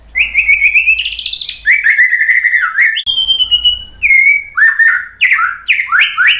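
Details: Prompting song of a white-rumped shama, played to coax a stalled bird into answering: a continuous, loud stream of fast chirps, long sliding whistles and rolling, looping phrases, with a faint low rumble underneath.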